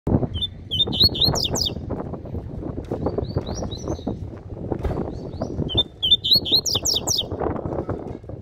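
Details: Coleiro, described as a spirited bird, singing a training song: two bursts of rapid, high, twittering and buzzy notes sweeping up and down, with faint softer phrases between, over loud constant low rumbling and handling noise.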